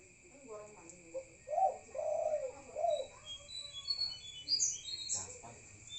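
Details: Spotted dove at night with one low, rough three-part coo phrase in the middle, while distant high twitters and a steady whine continue around it.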